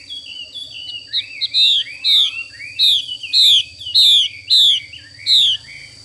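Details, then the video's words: Female Chinese hwamei 'xùy' calling: soft rising twitters build into about eight loud, harsh, down-slurred notes spaced roughly half a second apart, with a low steady hum behind. "Họa mi mái xùy cực đỉnh"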